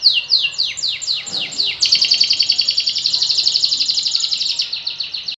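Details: Canary song opening with about eight clear whistles that each sweep downward, then a long, fast, buzzy trill of evenly repeated notes lasting around three seconds.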